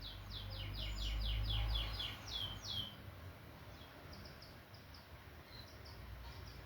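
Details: Canary singing: quick bursts of repeated downslurred notes, then sparse soft chirps, over a loud low rumble early on.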